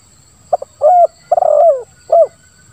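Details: Spotted dove calling, a local call style with one 'kuk' in the belly and a grating tone: a short double note, then a long burred coo sliding downward, then a final hooked coo, all low and throaty.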